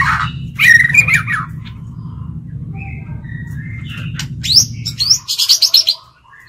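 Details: Lure white-rumped shama singing to challenge other birds: a whistled opening, scattered soft notes, then a fast sequence of high chirps and sweeping whistles. A low hum fades out near the end.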